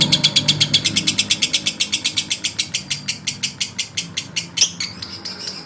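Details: Male lovebird singing to provoke rivals: a rapid, steady chatter of sharp, high pulses, roughly six per second, running unbroken, with a brief louder burst near the end.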